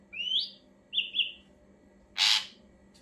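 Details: Ashy drongo song, used as a lure to make other birds answer: a rising whistled phrase, then a pair of short slurred whistles, then a loud harsh rasping burst.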